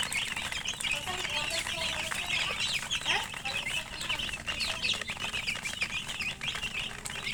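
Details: Crowded chicken chicks giving insistent, high, slurred peeps in overlapping bursts, with some rustling among them and a low hum beneath.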